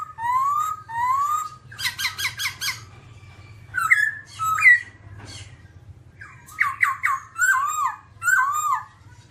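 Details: Babbler singing a varied phrase: rising whistled notes, a burst of rapid stacked chirps, then sharp slurred notes and a run of falling whistles, over a steady low hum.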